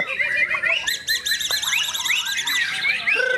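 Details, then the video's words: White-rumped shama song with a rapid run of repeated high, arched notes, then rising slurred whistles, ending on a lower steady buzzy note. Other birds chatter behind it. "Murai Batu"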